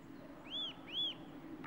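Eurasian nuthatch giving two loud, arched whistled notes, each rising then falling, about half a second apart, over a low background hum.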